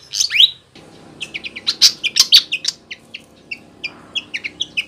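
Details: High flycatcher calls for luring wild birds: a loud falling whistle opens, then clusters of sharp chips and short two-part notes spaced irregularly, over a low hum.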